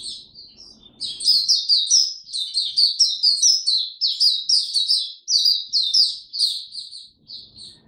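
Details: Warm, very humid weather, 26 March 2022: a white-eye opens with a few soft notes, then pours out a dense, high, hurried warble of tumbling chirps before trailing off quietly.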